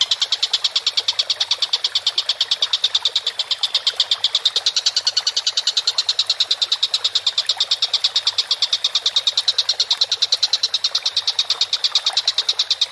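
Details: Collared kingfisher, masteran material for training birds, a long unbroken chatter of loud, rasping, high notes repeated around three times a second with a steady rhythm throughout.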